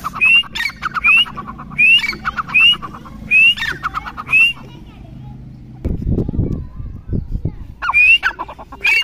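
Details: Chukar repeating sharp rising whistles, each trailed by staccato buzzy notes, about six times in quick succession. Then comes a burst of low rumbling noise, like handling or traffic, before the whistling calls resume.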